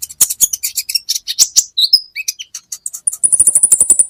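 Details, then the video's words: Training recording of a kolibri ninja, or olive-backed sunbird: varied squeaky high notes and downslurs, closing with a rapid, evenly spaced, thin trill. "Masteran buat KOLIBRI Ninja Bahan Agar BUNYI"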